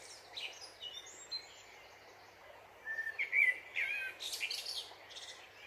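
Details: Dipper singing over the steady rush of flowing water: scattered high, thin twitters early on, then after a pause a burst of clear whistled notes mixed with scratchy, buzzy high trills lasting about three seconds.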